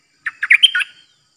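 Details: Streak-eared bulbul decoy bird, caged, singing only 'dok' phrases on 06/05/2022; one rapid burst of five bubbly, warbled notes, rising then dropping, lasting under a second, with nothing else audible.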